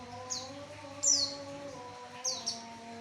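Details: Javan white-eye song played to lure males: three short high chirps, each sweeping quickly downward, spaced about a second apart over a steady low tonal hum.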